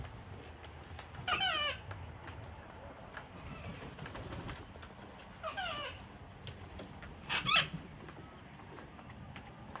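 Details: Hand-fed wild cockatoos crowding a home deck in Australia on a cold, wet winter Sunday; three harsh, raspy screeches spaced a few seconds apart, the last loudest, with low rumbling background.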